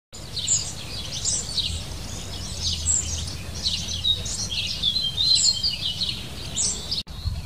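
A European goldfinch sings a fast, unbroken jumble of high, tinkling twitters and liquid notes for several seconds over a low background rumble.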